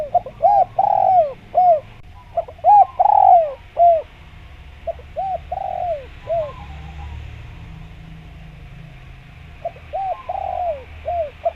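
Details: Repeated phrases of mellow dove coos from a spotted dove, a lure call for wild doves. Short rounded notes lead into a drawn-out descending coo; a long quieter stretch with low background rumble precedes a final phrase.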